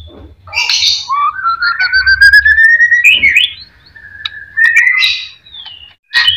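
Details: White-rumped shama song played as a lure to provoke other birds into singing: a long rising whistled glide climbing steadily, then buzzy and rich bursts, with brief pauses between phrases.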